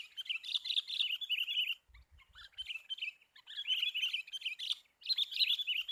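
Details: Lure-call recording of sooty-headed bulbul: loud runs of high, bubbling chatter in four bursts, with a faint low thump during one pause.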